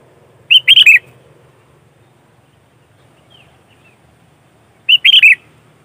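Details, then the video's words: Sooty-headed bulbul singing in lively 'gacor' style for luring its kind: two identical phrases of three or four bright, bubbling whistles, about four seconds apart, over near silence and a faint low hum. "Suara Burung Kutilang Gacor ASLI Tanpa isian, Ampuh untuk Pikat Kutilang bikin kutilang Ribut gacor"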